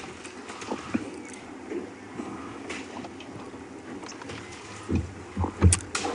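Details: Low vehicle rumble and scattered knocks and clatter, with no animal voice standing out.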